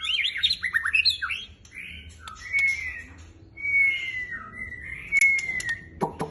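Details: A black shama (Copsychus cebuensis), a fighter bird in full song, sings a rich, varied song: quick tumbling chirps and trills, then long clear whistles held on one pitch, repeated about every second.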